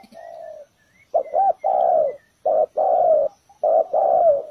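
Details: Spotted dove used as a ground decoy to lure wild doves into a trap, calling in low hollow coos: a faint drawn-out note, then loud paired bursts, a short coo followed by a longer falling one, with brief pauses between.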